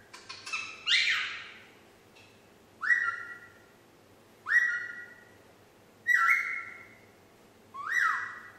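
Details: Nine-month-old female pet parrot learning to whistle Yankee Doodle: after a few rough opening notes, a loud whistle that rises quickly, then holds steady, repeated roughly every one and a half to two seconds.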